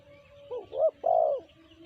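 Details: Single three-note cooing phrase of a tekukur, the spotted dove, BL type: a soft double start, a hooked rising coo, then a long even coo, with a low steady tone underneath.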